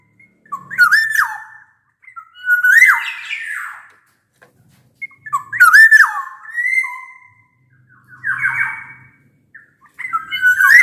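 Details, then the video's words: Gacor black-naped oriole, a loud and ringing songbird likened to a bamboo flute, used as a lure for lazy singers: fluty whistled phrases with harsh nasal squawks about every two to three seconds, sliding notes between them. "Suara kepodang gacor ini bisa di jadikan pancingan kepodang malas bunyi"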